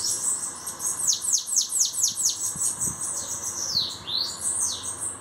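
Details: Steady bananaquit song of shrill, descending whistled sweeps repeated about twice a second, ending in a lower falling slur and a high trill.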